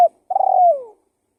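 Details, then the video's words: A single long spotted dove coo for luring: it begins with a rapid purring flutter, then glides smoothly downward, preceded by the clipped end of an earlier note. "Suara Pikat Burung Tekukur Gacor"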